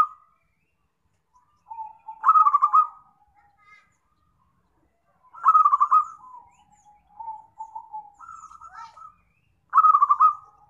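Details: Lure recording for trapping zebra doves: loud bubbling trilled coos recur about every three to four seconds, each burst trailing into softer, level cooing notes, over an otherwise silent background.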